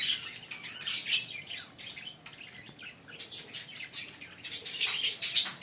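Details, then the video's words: A green pair of Fischer's lovebirds chirping, with loud clusters of piercing, squeaky notes at the start and end and softer, scratchy twittering in between. "Lovebird singing & Chirping Sound 5 Minute - Green Fischer pair"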